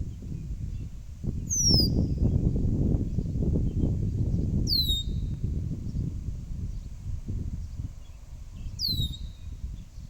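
A blackbird gives three thin, very high whistles that slide downward, a few seconds apart, over steady low wind rumble.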